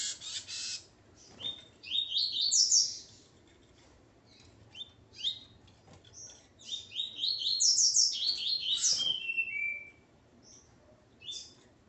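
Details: Singing male Coleiro with his female: bursts of ascending chirped notes separated by gaps and short clicks, the longest phrase near the middle ending in downward slurred whistles.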